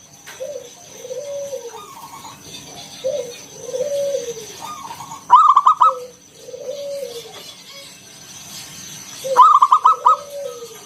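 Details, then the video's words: Local wild zebra dove, a strongly singing bird used as a lure to prompt other doves to coo, in the ngalun kung bulat style: low wavering coos alternating with loud, stuttered higher trilled phrases, roughly every four seconds. "Suara NGALUN Kung Bulat - Perkutut lokal gacor Pancingan"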